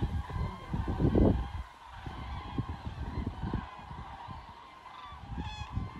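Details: Thousands of Common cranes migrating south over the Wetterau near Bad Nauheim, Germany, on 22 October 2022 give distant, rolling trumpeting calls, with one clearer bugle near the end, over a steady low rumble of wind or traffic.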